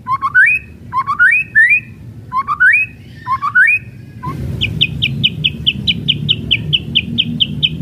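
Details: White-rumped shama kretekan song for provoking other shamas: groups of upward-slurred whistles in threes, then a rapid even string of sharp high clicking notes, roughly three per second, over low rumble.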